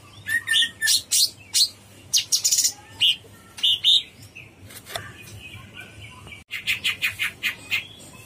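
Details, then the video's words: Cucak cungkok bulbul singing in bursts of sharp high chips and short whistled notes, broken by a brief pause, then a quicker series of chirps, over a faint hum. "Suara burung cucak CUNGKOK gacor"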